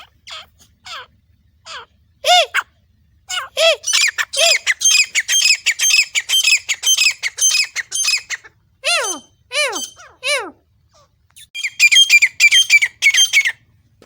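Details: Grey francolin from Pakistan, calling with a dog. A few descending harmonic notes lead into a long run of harsh, grating squawks repeated about twice a second. The squawks pause briefly and then resume.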